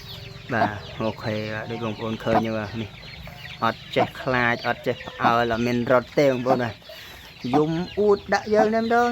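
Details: Tame waterhen raised in captivity from a young age, unafraid of people, calling loudly when the owner's hand is near its cage; kept as a decoy bird. Harsh, low, harmonic croaking notes in bursts, with a man talking over them.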